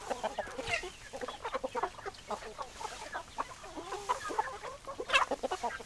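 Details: Hens clucking in a group: constant rapid clucks and short warbling notes overlapping, with a sharper loud call near the end.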